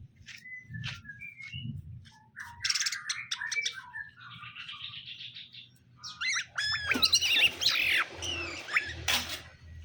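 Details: Caged greater green leafbirds, male and female being paired to get along; varied chirps, whistled notes and sweeping slurred phrases, growing dense and loud toward the end, over a low hum.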